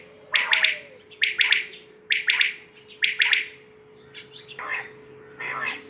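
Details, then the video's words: Quail calling: sharp, buzzy triple-note phrases repeated about once per second, each group of three quick notes followed by a short pause, with a faint steady hum throughout and softer calls trailing at the end. "Batair k Awaz"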